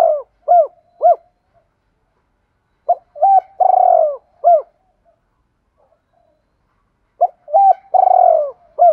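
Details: Lure call of a spotted dove, 'thúc gù' urging coos with calling: phrases of clipped lead notes, a long vibrating coo and a clear hooked note, three times with quiet gaps of about three seconds.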